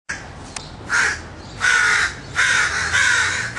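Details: Crows on a street in West Hollywood cawing: harsh, hoarse caws that start and stop irregularly, about four in under four seconds, over a steady background hum.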